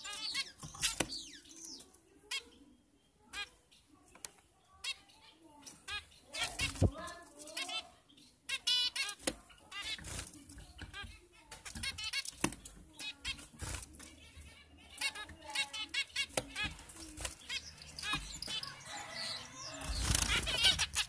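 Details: Breeding zebra finches (Taeniopygia guttata) in captivity produce repeated nasal, buzzy beeps and chattering calls throughout, with steady clicks, fluttering wings and a loud rustle near the end.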